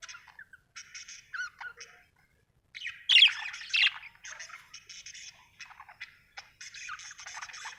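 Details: Happy budgerigar chirping in choppy bursts of raspy, buzzy chatter and squeaky notes, with a short pause before a louder, harsher squawking outburst, then steady warbled twittering again.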